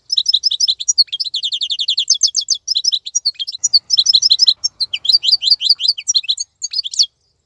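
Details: European goldfinch of the wild 'khalawi' kind, singing actively while other birds are silent in moult; a long, rapid, unbroken twitter of bright high notes with liquid trills running for about seven seconds.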